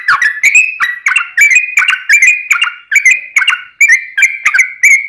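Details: Long fluent song of a yellow-vented bulbul, used as a lure so other bulbuls start singing: a steady chain of liquid whistled notes, each dipping then rising, repeated about three times a second with crisp clicks.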